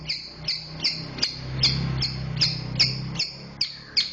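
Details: Long-tailed shrike in the tight, fast 'roll speed rapat' song style: sharp, high clipped notes repeated about two to three times a second at a fairly steady pace over a low steady hum.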